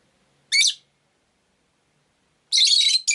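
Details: Rosy-faced lovebird, a household pet, giving one harsh buzzy chirp, a two-second silence, then a longer grating chatter and a short final chirp.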